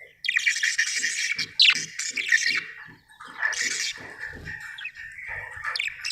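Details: Budgerigar chirping happily: scratchy, buzzy warbling and a few clear squeaks, with a row of regular soft low taps beneath.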